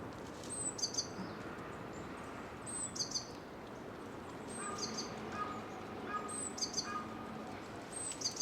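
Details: Japanese tit singing: thin, very high two-part phrases repeated roughly every two seconds, with softer lower whistled notes between, over rustling of dry leaves underfoot.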